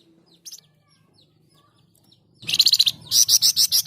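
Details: Loud, persistent Flamboyan song meant for training other birds: a soft short note, then an intense run of rapid, shrill, high chattering pulses growing into evenly spaced strident bursts.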